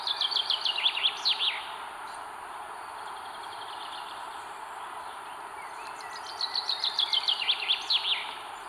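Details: Northern goshawk chicks in a nest in northern Estonia, 21 May 2022, beg as their mother feeds them: two bursts of rapid, thin, high chips, about a dozen each, over steady background hiss.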